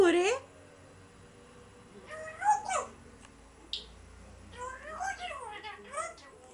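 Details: African grey parrot opening with a loud swooping whistle, then after a pause a burst of wavering, voice-like harmonic phrases and a sharp click, quiet between calls.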